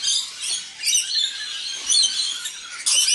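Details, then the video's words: Wild rainbow lorikeets feeding together, joined by an immature bird. Shrill, grating screeches come in bursts about a second apart, overlapping chatter filling the gaps. "Rainbow lorikeets dinner party"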